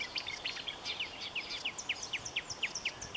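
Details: A marsh warbler delivers a series of quick, sharply descending high notes, about four each second and fairly evenly spaced, after some mixed chattering at the start.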